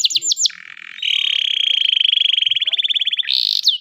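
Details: Canary in loud, lively song used to prompt young canaries learning to sing: quick high upslurred notes, then a long rapid rolling trill held for over two seconds, ending in bright rising whistles.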